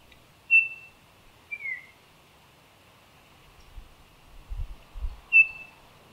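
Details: A male Baltimore Oriole sings to establish breeding territory: three clear, pure liquid whistled notes, the middle one slurring downward, spaced over about five seconds, with faint low thumps in the background.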